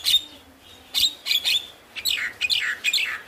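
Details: Javan myna, from a lure recording meant to stir lazy or stressed birds into song: bright high chirps, then sliding whistled notes and rapid squeaky phrases in short bursts.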